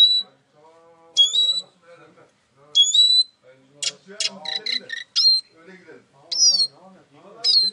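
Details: Eurasian siskin singing bright high notes, each sliding downward, mixed with short sharp clicks and buzzy bursts, while soft low murmuring sounds run underneath.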